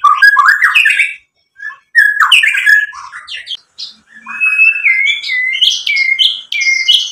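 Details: White-rumped shama song played to provoke a singing reply: bursts of varied chattered and whistled phrases separated by short pauses, ending with repeated bright downslurred whistles.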